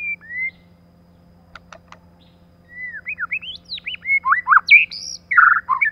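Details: Female white-rumped shama used as a lure: a short whistled slur, pause with a few clicks, then a fast run of varied rising and falling whistles and harsh chattering notes.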